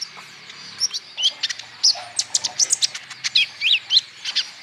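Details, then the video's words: Olive-backed sunbird lure song to stimulate singing: lively stream of sharp, high chips mixed with quick looping whistled phrases, fairly continuous with short pauses. "PANCINGAN KOLIBRI NINJA BAHAN •TERAPI KONIN IJOAN GACOR"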